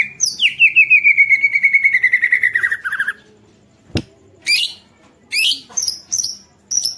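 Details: White-rumped shama, sung to spur other shamas into song: a long fast trill of slurred notes gradually descending over three seconds, a loud click, then separate high buzzy chirps.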